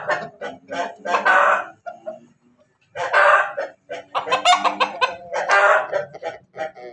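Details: Crossbred chicken of Ayam Ketawa Bangkok and Pelung lines in Banguntapan, Yogyakarta, about to lay eggs: bursts of loud, raspy, choppy cackling in two bouts separated by about a second of quiet.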